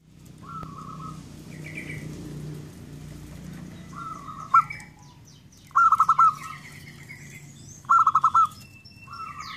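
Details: Zebra dove song: short pulsed cooing phrases, a soft note followed by a quick run of four or five stuttering beats, repeated every couple of seconds, with other small birds chirping higher in the background.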